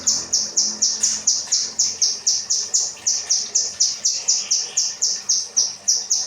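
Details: Kinoi rambatan song, training material for cage birds: a long, very regular series of piercing high chirps, about four each second, continuing without a break.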